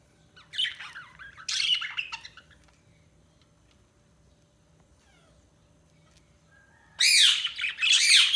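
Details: Budgerigars chirping in two bursts of bright, buzzy warbling chatter, one near the start and one at the end, with a quiet pause between.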